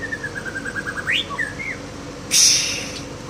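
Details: White-rumped shama from Aceh, Indonesia, mimicking a canary; a rapid series of short whistled notes, then a rising sweep and a slurred phrase, cut off by a sharp hissing burst.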